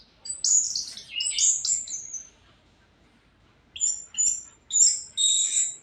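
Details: Orange-headed thrush singing vigorously in high, shrill, warbled phrases, then a pause of over a second, then further thin, piercing whistled notes, in an otherwise quiet setting.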